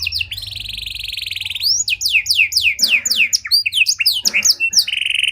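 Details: Panda canary song, luxurious cengkok style, used to lure and train other canaries: a long buzzy trill, then a series of descending sweeping whistles and varied chirps, with a flat whistled note at the end.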